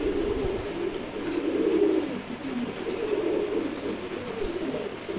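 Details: Maxi Racer pigeon chick, one month old, cooing in drawn-out, warbling phrases about a second long, low-pitched and repeated a few times over a steady hiss.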